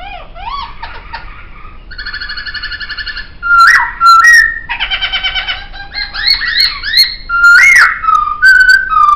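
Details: Laughingthrush singing in captivity with great variety: rising slurred notes, a fast buzzy trill, explosive whistled bursts, another harmonic trill, and loud, rich warbling whistles.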